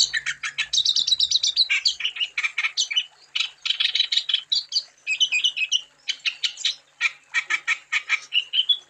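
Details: Vigorous wambi song played as a lure so other wambi birds will sing; long sequences of rapid chirps, harsh squawky notes and short whistled trills, pouring out almost without pause.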